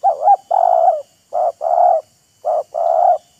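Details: Wild spotted dove trading calls with a decoy bird, the two showing off, taunting and luring each other. Three low mellow two-part coos: a short hooked note, then a longer steady coo, about one phrase per second.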